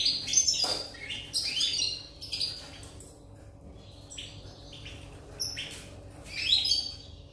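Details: European goldfinch recorded 8 November 2019, singing in short bursts of bright, twittering chirps and slurred notes separated by quiet gaps of a second or more, over a faint low hum.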